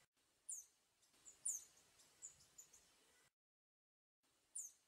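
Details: Gilt-edged tanager singing in nature: very high, thin, sharply descending notes, several in quick succession, then a pause and another single high note, over faint background hiss.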